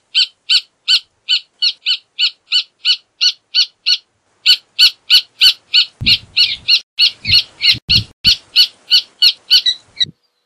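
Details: Rufous hornero song: loud, sharp notes repeated in a steady run that pauses briefly, then resumes faster and denser, the notes crowding and overlapping toward the end, with some low rumbling underneath.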